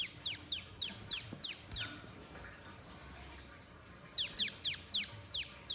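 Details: Spiderhunter recorded as a lure sound for birds in the wild. A long, lively chatter of sharp, high, descending notes, given in quick bursts. A pause follows, then the bursts resume. A faint background hum is present throughout.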